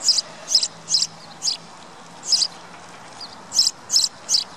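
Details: Sparrow giving sharp high chirps in uneven bursts, several quick notes, a pause of about a second, then another quick run, with soft background hiss.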